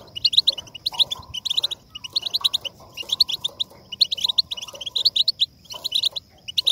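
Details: European goldfinch song, played to stimulate other goldfinches to sing: bursts of rapid, tinkling, twittered notes, high and liquid, in phrases of about a second separated by short pauses, with faint lower sounds underneath.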